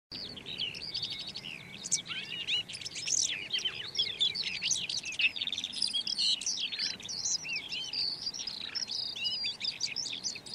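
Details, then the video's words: Red-backed shrike singing a dense, scratchy, fast-changing warble of high twittering notes, sweeps and chirps, running almost without pause for about ten seconds. "Red backed Shrike · Lanius collurio - song"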